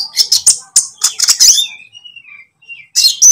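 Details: Konin lovebird lure for training songbirds ('ijoan' or 'trotol'): rapid harsh high chirps, then soft thin descending whistles, ending in another shrill burst.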